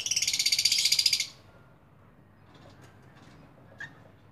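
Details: Lovebird giving a rapid, buzzy run of pulsed chirps for just over a second, then near silence with a single faint chirp later.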